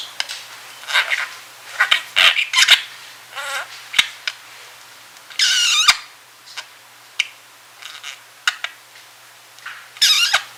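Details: Napping male pet budgerigar in a small room keeps up a stream of soft sleepy chatter: scratchy clicks, squeaks and brief warbles, one louder buzzy burst midway.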